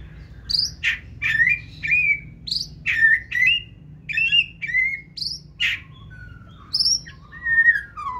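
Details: White-rumped shama, a bird offered for sale from the 2024 season, singing in the 'forest voice' style; it runs along the perch with tail held high. Lively song of varied whistles, rising and falling notes and short harsh chips, delivered in quick bursts about twice a second.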